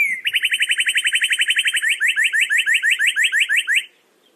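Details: Northern cardinal singing a rapid run of short, clear repeated notes, about five per second. The notes become more slurred and upswept partway through, then stop abruptly. There is no other sound.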